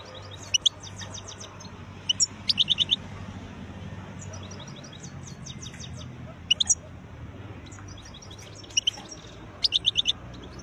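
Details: Wild European goldfinch uttering scattered bursts of high twittering and ticking notes, some in rapid runs of four or five, separated by pauses, against steady low background hum.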